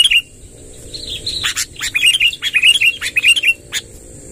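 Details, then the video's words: Lively sooty-headed bulbul giving a long rolling song: one opening chirp, a pause, then a run of quick, bubbly warbled notes for about two seconds, with a faint constant hiss. "suara tembakan BURUNG KUTILANG NGEROL PANJANG"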